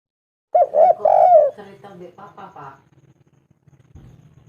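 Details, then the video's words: Local spotted dove calling a female: two arched coos and a long rolling note, then softer fading coos over a low steady hum. "Tekukur derkuku lokal gacor pol suara bening memanggil betina ampuh"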